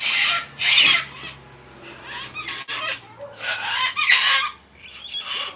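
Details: Wild flock of Sulphur-crested Cockatoos squawking at sunset in Australia, excited before taking off for the night. Harsh, raspy screeches come in loud bursts with quieter gaps, over a low hum. A currawong is present.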